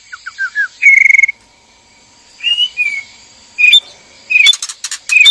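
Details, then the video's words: White-rumped shamas, male with female in a breeding cage, calling to prompt mating: a few soft descending notes, then separate clear whistled phrases with silent gaps, some followed by brief buzzy clicking bursts. "PANCINGAN BIRAHI KAWIN MURAI BATU JANTAN DAN MURAI BATU BETINA DIKANDANG PENANGKARAN"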